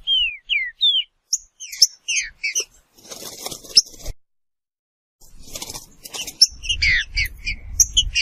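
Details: Trinca-ferro (green-winged saltator) giving a few sharp falling whistles and short chirps, followed by a stretch of rustling, clattering noise and then renewed busy chirping notes with low rumble beneath.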